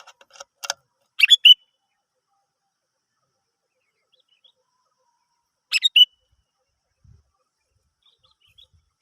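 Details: Sooty-headed bulbul, recorded as a lure to get other birds singing, gives short liquid whistled phrases of three or four notes, spaced several seconds apart, with a few faint soft knocks.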